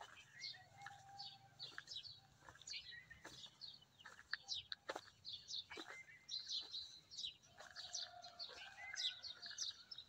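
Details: Sparrows beside a maize field with trees give busy overlapping chirps and twitters from several birds, quick high notes tumbling over one another, with a steadier lower whistled tone heard twice in the background.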